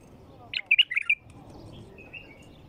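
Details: A wild bulbul gives one quick, bubbly phrase of five or six liquid, chirping notes, followed by a few softer, thin notes over a low background hum; song said to make other bulbuls sing.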